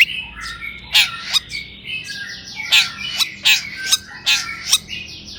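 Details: Long-tailed shrike in full, lively song, used as a lure to stir other shrikes into singing: harsh broadband squawks and short chirps in bursts about every half second, with faint high chatter between them.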